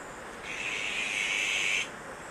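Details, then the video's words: Azure-winged magpie chicks being reared at Maeji-ri, Wonju, Korea: one drawn-out, rasping hiss swelling slightly over about one and a half seconds before stopping sharply, with steady rushing noise behind. "물까치의 육추 #1"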